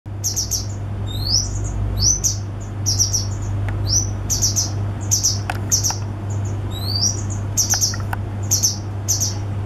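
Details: A male grey wagtail, one of a pair feeding young in a nest in vines on a pub yard wall, carrying food, repeats sharp, high, metallic alarm notes in quick bursts, two or three at a time, over a steady low rumble.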